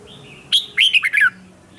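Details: Red-whiskered bulbul trained to sing in the morning. A single bright, fast phrase of slurred, warbled notes rises and falls, falling away at the end, after a soft thin whistle.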